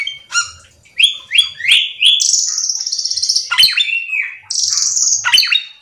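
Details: Cucak keling singing energetically, recorded to coax other cucak keling into song: short squawky notes, four rising whistled slurs in quick succession, then long high buzzy trills broken by harsh chattering squawks.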